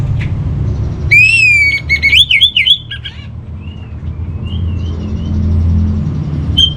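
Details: Master song of an orange-headed thrush, used to settle a caged bird's emotions and breeding drive: a loud rising whistle opens quick looping warbled notes, then softer wavering whistles over low background rumble.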